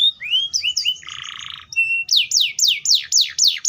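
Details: Atlantic canary song: rising whistled notes, a buzzy rolled trill, a level whistle, then six loud descending sweeps repeated roughly every quarter second.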